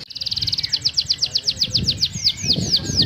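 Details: Atlantic canary in vigorous 'gacor' song with a luxurious 'cengkok mewah' pattern: a short rapid trill leads into steady high whistled down-slurs, several per second, that slow toward the end over faint low background noise.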